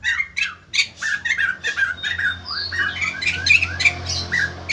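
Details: White-crested laughingthrush in a cage, continuous harsh squawking chatter mixed with rising and falling whistled notes over a low hum.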